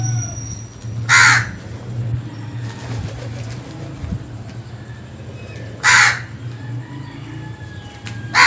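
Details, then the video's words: Crow heard in the morning: three widely spaced, harsh caws roughly every four to five seconds, over a steady low hum. "Crows Sounds"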